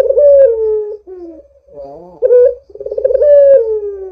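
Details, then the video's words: Barbary dove coo as a lure for other doves: a loud falling coo, a quavering warble, a short rising note, then another rolling pulsed coo sliding steadily downward. "Suara Burung PUTER Gacor ini Paling Ampuh Untuk PANCINGAN Puter Agar BUNYI"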